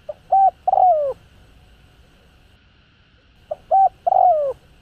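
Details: Spotted dove cooing to stir caged birds. Two phrases of clipped double notes lead into a drawn-out descending coo. The phrases are separated by about three seconds of quiet, with a low background hum.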